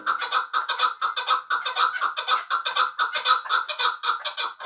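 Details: Chukar partridge from Muminobod, kept as a hunting bird, giving a rapid run of rhythmic, clucking chuk notes, about two per second, steady and unbroken throughout.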